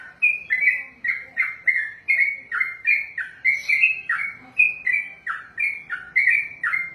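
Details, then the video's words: Sooty-headed bulbul giving a very long continuous song: a steady run of short, slurred, falling whistled notes, roughly two or three per second, with no pauses. "ROPELAN BURUNG TRUCUKAN TERPANJANG DALAM SEJARAH"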